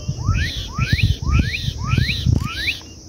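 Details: Black-capped Donacobius (japacanim) performing at Lago do Búfalo: five loud whistled notes, each sweeping sharply upward, repeated roughly every half second over a low rumbling background.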